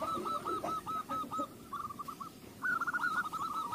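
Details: Zebra dove singing, played as a lure to prompt other doves to sing: runs of quick, staccato cooing notes in several rolling phrases, the last phrase louder, over a steady low background rumble.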